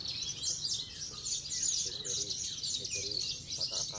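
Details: Branjangan contest bird from Cilacap, a Javan bush lark, sings fast, high chattering phrases in quick bursts, accompanied by brief lower chirps from other birds and background murmur.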